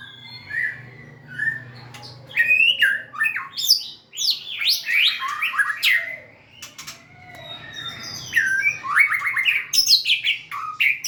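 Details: Dancing, tail-wagging white-rumped shama pours out a varied song of quick whistles, chirps and slurred notes in rapid bursts, with a soft low hum in the background.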